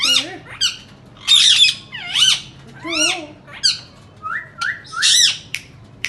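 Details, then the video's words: Indian ringneck parakeets indoors: loud harsh squawks and screeches with wavy, swooping tones, a few soft low murmurs, and short level whistled notes near the end. "Indian parrots talking and making sounds lovely and best voice"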